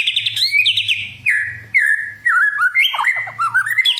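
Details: Fighter white-rumped shama song meant to rouse fighting spirit: rapid high chattering notes, then long clear descending whistles and tumbling twisting phrases, with a faint low electrical hum beneath.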